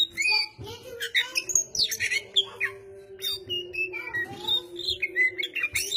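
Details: Oriental magpie-robin in full song: a rich, fast stream of varied whistles, squawky notes and chirps jumping between high and mid pitches, over a steady low hum.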